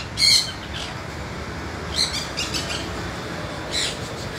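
A sun conure gives three short, harsh, screechy squawks spaced a second or two apart.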